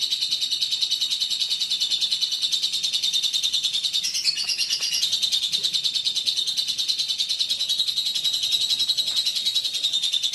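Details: Indonesian competition lovebird from Central Java pouring out a continuous, dense, high buzzy trill of rapid chattering notes, unbroken for the whole stretch and briefly louder midway.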